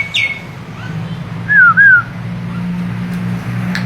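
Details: Starling (jalak) giving two clear, wavering whistled phrases one after another, preceded by a faint high chirp, over a constant low mechanical hum.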